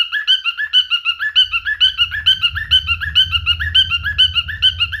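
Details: Male cockatiel in mating behaviour sings a rapid rhythmic warble of repeated whistled notes, roughly two per second, while a low rumbling background noise rises midway through.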